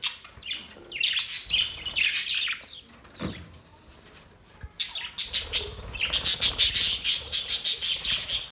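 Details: Budgerigars in happy chirping: scratchy warbled chatter, then a near-quiet gap, then a loud run of rapid, sharp chirps repeated about once a second.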